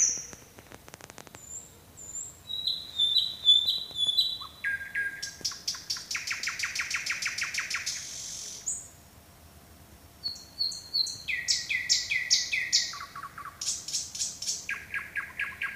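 A nightingale sings at night, a varied run of whistles, rapid trills and pure piping phrases.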